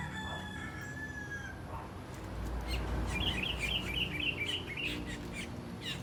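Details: Asian glossy starlings feeding on ripe papaya give a quick run of sharp, high chirps, about eight in two seconds, after a rooster's drawn-out crow opens the recording.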